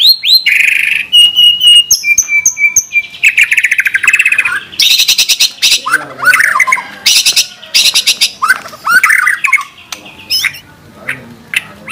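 White-rumped shama singing a rich, varied song of clear whistles, sharp rising notes and harsh buzzy bursts, delivered in quick, changing phrases.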